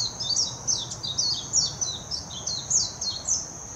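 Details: Warbling white-eye, Hashimoto, Wakayama Prefecture, Japan, 26 June 2021, filmed with a Nikon Coolpix P900: lively chattering song of rapid, high, dropping chirps in short clusters, nearly nonstop, with a steady high tone underneath.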